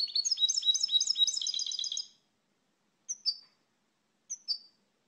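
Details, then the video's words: European goldfinch giving a quick burst of liquid, tinkling twitter for two seconds, followed by two short paired chirps spaced apart in silence. "Canto do Pintassilgo Português, pássaro com canto bonito (Carduelis Carduelis)"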